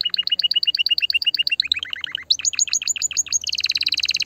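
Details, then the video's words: Canary singing to stimulate a female: evenly repeated two-toned notes, a lower run of dropping chirps, then higher rapid notes merging into a dense ringing trill. "Chant de CANARI pour STIMULER la FEMELLE"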